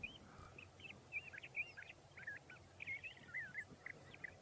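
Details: Le Conte's Thrasher in a field near Taft, California, early morning: a quick, uneven run of short chirps and slurred whistled notes, about a dozen in four seconds, over a faint low background rumble.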